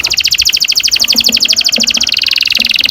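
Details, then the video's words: Canary with long rolling song as a lure for young canaries: a continuous rapid high trill of evenly pulsed notes that shifts slightly lower and smoother partway through, with faint soft knocks underneath. "Kenari gacor NGEROL PANJANG"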